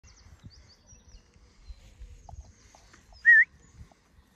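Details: A captive bald eagle at a falconry and raptor conservancy gives a single short, thin, wavering high note, loud and clear over a quiet background of low outdoor rumble.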